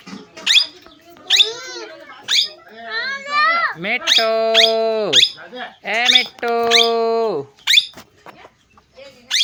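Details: Parrot vocalizing in speech-like bursts: sharp high squawks alternate with drawn-out, even-pitched voiced tones and wavering syllables, with short pauses between phrases in a quiet setting.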